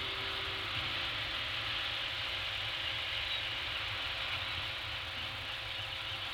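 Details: A steady rushing hiss and low hum continue on the Anacapa Island falcon camera, with a short flat tone at the start and no bird calls.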